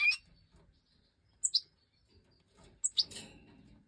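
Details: A goldfinch hen of the Major type feeding her last five chicks after they left the nest in an aviary; an opening shrill call, then two evenly spaced pairs of sharp, very high chirps amid faint rustle.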